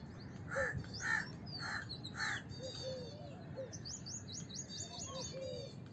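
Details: Four rough caws in quick succession from a house crow, followed by rapid high-pitched trilling and chirps of other birds.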